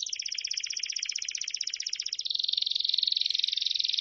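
A Belgian canary sings a high, rapid pulsed trill, then switches to a smoother, buzzier rolling trill at a similar pitch. No other sounds are heard.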